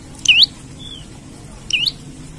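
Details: Olive-backed tailorbird, used to lure or train other birds, giving two bright whistled notes that swoop down and up, roughly a second and a half apart, over quiet low rumble.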